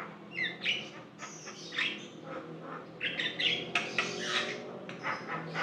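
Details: Javan myna (jalak kebo) in energetic song, used as a lure: a dense mix of harsh grating squawks, chatters and short whistles, uneven and busy, with low hum underneath.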